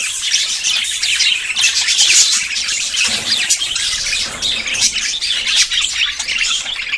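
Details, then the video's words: Budgerigars courting and about to breed; a dense, continuous chatter of many high scratchy warbles, chirps and squawks overlapping with no pauses. "CON ESTE AUDIO TUS PERIQUITOS SE APAREARÁN"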